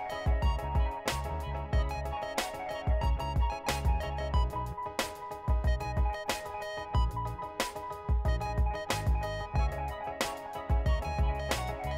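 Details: Music with a steady beat and sustained instrumental chords plays throughout, with no animal sounds.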